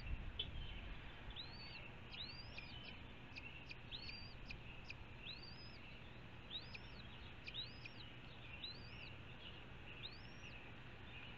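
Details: Red-shouldered hawk in Ithaca, New York, gives a run of about eight high, slurred, arched calls, roughly one per second, over a steady low rumble of distant background noise.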